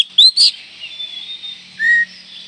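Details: Oriental magpie-robin giving a call said to stir other magpie-robins: two sharp, loud whistled notes in quick succession, a faint thin whistle, then a steady mid-pitched whistled note.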